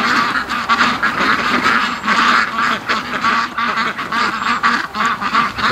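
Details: Flock of domestic ducks, raised on a farm, hurrying back home at night from the lake after heavy swimming; continuous loud, harsh quacking from many birds at once, rising and falling in rapid clustered bursts.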